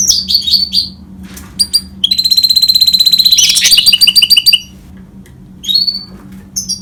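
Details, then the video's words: A goldfinch and canary hybrid twitters, then launches into a long, loud rolling trill of rapidly repeated high notes, followed by a quieter pause and scattered chirps. "Гибрид щегла с канарейкой/ سایره کنری/ hybrid of goldfinch and canary"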